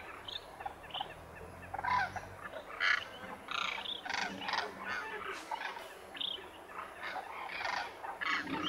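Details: A flock of wintering migrant demoiselle cranes at the lake near Khichan in Rajasthan's Thar Desert, India, calling together: a dense overlapping chorus of rough, rolling trumpeting croaks, about one a second, with steady background hiss.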